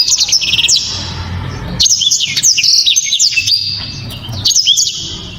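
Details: {'text': "Singing black-throated canary, loud and sharp with clear 'shots'. Rapid high chattering notes form a short phrase, then a longer run of fast rising and falling slurred trills after a brief pause."}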